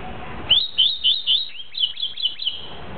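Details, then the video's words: Double-collared seedeater in tuí-tuí song style, delivering a fast run of about nine high, upslurred whistled notes, each rising sharply then dipping, repeated roughly every quarter second against quiet background. "COLEIRINHA TUÍ - TUÍ"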